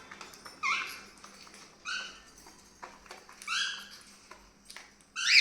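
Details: Pet cockatiels (Nymphicus hollandicus) in a home collection giving loud, harmonic screeching calls in short bursts, roughly every one to two seconds.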